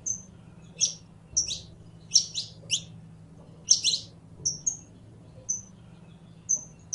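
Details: Saffron finch (canario criollo) in song, mixing clipped high whistled notes with bursts of quick chirps in irregular runs, over a low steady hum.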